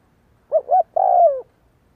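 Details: Cooing spotted dove kept for decoy training: a single three-part phrase, two short rounded notes then a drawn-out descending coo, with a quiet background.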